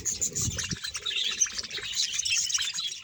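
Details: Bahawalpur colony of about 100 budgerigar pairs, overlapping squeaky chirps and warbles from many birds, some low rumbling handling noise in the first second.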